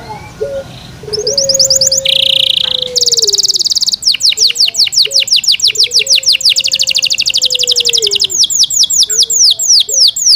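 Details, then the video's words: Yorkshire canary, a kept pet bird, sings a buzzy rattle and a harsh dense burst, then a long run of steady, rhythmic down-swept chirps repeated about three times per second, with a faint low hum. "Yorkshire canary Nice sound"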